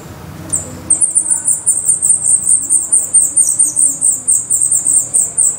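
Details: Black redstart nest in Portugal: after a brief pause a steady run of shrill, high calls starts and keeps going at roughly two to three per second.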